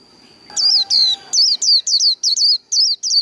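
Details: High, rapid, down-slurred whistles from a Japanese white-eye in líu đấu fighting style, about ten notes delivered in a lively stream, with a faint humming background at the start.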